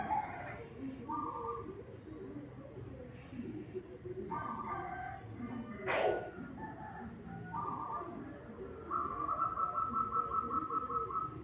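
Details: Zebra dove of a local Indonesian type giving short cooing phrases near the middle of its range, ending in a rapid pulsed trill; a low murmur of voices or music runs beneath, with a sharp knock midway.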